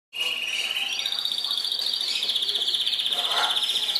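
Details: Belgian canary in a pet shop at nap time sings a fast, bright, high-pitched warble of rapid rolling trills that rise in pitch partway through and continue without a break.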